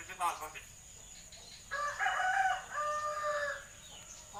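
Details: Common hill myna imitating human speech and coughing: a short rough burst, a pause, then loud, nasal, harmonic talking tones that waver and fall away.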